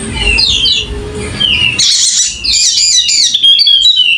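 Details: Endemic Sumbawa Wallacean white-eye, golden-headed type, delivering lively song: scattered high twitters over low rumbling noise, then a dense burst of fast, sharp, high chirps in the second half.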